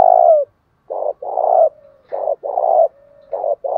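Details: Spotted dove decoy bird giving challenge-style coos, used to stimulate and train newly caught birds. Low, hoarse, throaty phrases are repeated with short gaps, and a faint, level hum sounds between some of the phrases.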